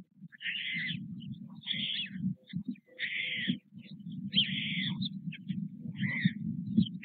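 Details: Nestling white storks at Nové Mlýny, Czechia, on 6 May 2024, as parents bring food roughly every half hour; harsh, raspy bursts of about half a second recur every second or so above continuous low-pitched background rumble.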